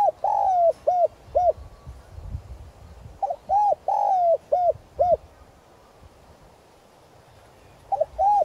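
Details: Decoy spotted dove giving a calling coo in the 'giọng son' voice style, used to stir wild doves into answering. Three phrases of mellow, hollow coos, each opening with short rising notes, then a long drawn-out coo and clipped coos, with quiet gaps between.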